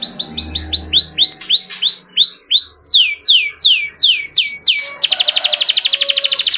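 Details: Canary, played as a lure so canaries start singing: brisk repeated upward-curving whistles and swoops, followed by a dense, very rapid buzzing trill.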